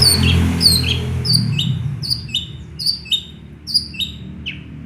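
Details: Energetic long-tailed shrike song copying small birds, built from rapid high downslurred whistles repeated about four per second, each note crisp and squeaky, over a faint low background rumble.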